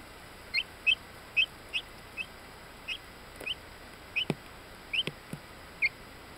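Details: Ten-day-old bantam Orpington chicks, buff with black lacing, Binzen, May 2013: a busy series of around a dozen bright rising peeps, often in quick pairs, mixed with a few soft taps or knocks.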